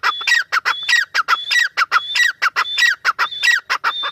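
A partridge gives loud, harsh, rasping notes in quick rhythmic bursts, with a thin high whistle running through some phrases; no other sounds stand out.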